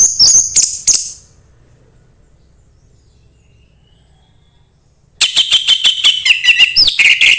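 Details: Orange-headed thrush singing 'embun pagi' style, played to get a thrush singing: a short high chatter, a long silence, then a rapid stream of sharp chirps and ringing whistled notes.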